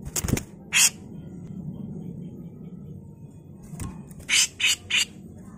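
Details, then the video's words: A grey-cheeked bulbul in full, harsh song gives harsh, buzzy bursts: one near the start, then three rapid rasping notes late on, over a low background hum; used as a tutor recording; Grey-cheeked Bulbul. "CUCAK JENGGOT GACOR FULL MBESET kasar"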